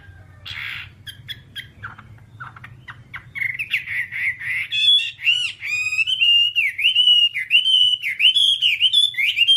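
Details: Whambie singing for training kept birds: scattered clicks and short squeaky notes, then a sustained run of rolling, wavering whistles that grows louder, over a low hum.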